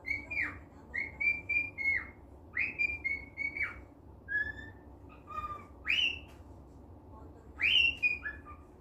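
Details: Pet cockatiel in a good mood, giving a series of clear whistled calls, each rising then dropping, several slurred two-part notes repeated about once a second, over a faint steady hum.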